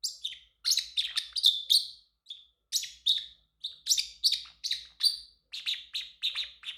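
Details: Pet male Pacific parrotlet singing and chirping: bursts of sharp, high, scratchy chirps in quick clusters, separated by brief pauses, continuing steadily through the recording with no other sounds.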